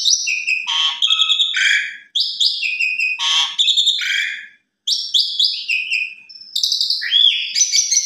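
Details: Asian pied starling evening lure song meant to draw out a bird's repertoire and tutor young starlings: loud phrases of clear high whistles mixed with harsh, buzzy rattling notes in bursts, with brief pauses and no background noise.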